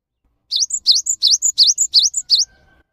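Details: Java sparrow, caged, singing a lure song meant to prompt silent caged birds to sing: a run of six paired notes, each a sharp downward chip followed by a higher clear whistled note, evenly spaced about every quarter second.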